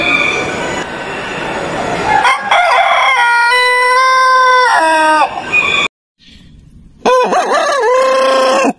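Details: Cock crowing in a yard: a loud, harmonic crow that rises, holds level and falls over about three seconds, then after a short gap a second wavering crow begins.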